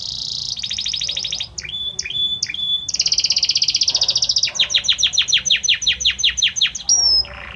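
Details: Male Belgian canary singing for his female, mixing buzzy rolls, spaced clipped notes and a long fast trill, then a run of downward-sweeping whistled notes and a final high slurred whistle.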